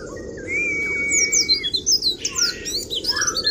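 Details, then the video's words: Oriental white-eye singing in the kriwik style, used to provoke rival birds: a long steady whistle, then a rush of high, rapid, sliding twitters and chirps over a constant low hiss. "Pleci Full kriwik Gacor Halus ❗❗mancing emosi lawan"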